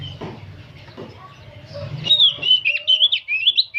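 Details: After a stretch of low background rumble, an old oriental magpie-robin bursts into rapid, chattering song: quick, slurred whistles run together without pause.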